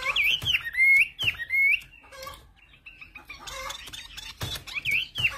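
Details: Chinese hwamei from the Central Highlands mountain forests of Vietnam gives clear, slurred whistled phrases in bursts, separated by a short lull, with sharp clicking knocks scattered through the recording.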